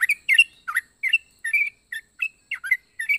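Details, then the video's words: Captive yellow-vented bulbul with a strange, varied voice: short squawky chirps spaced about a quarter to half second apart, some swooping down, others rising. "Burung trucuk unik suara aneh"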